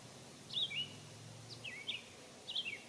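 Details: American robin (Turdus migratorius) singing while bathing at a birdbath on a warm summer day in 2022: three short, clear whistled phrases of slurred, falling notes, spaced about a second apart, over a faint low hum.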